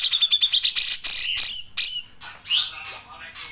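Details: Grey-cheeked bulbul singing in long 'nembak' style for training songbirds. A quick run of high chipping notes gives way to loud harsh bursts and clear upslurred whistles, each separated by short pauses.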